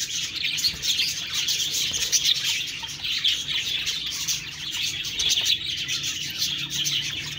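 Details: Budgies in full chatter: a thick bed of high, scratchy warbling and quick chirps running without a break for the whole stretch.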